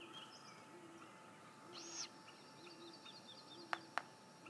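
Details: A female Great Grey Owl at her nest at 6:19am on 28 May 2017 gives soft, low, short hoots about once a second, with small songbirds chirping high above and two sharp clicks near the end.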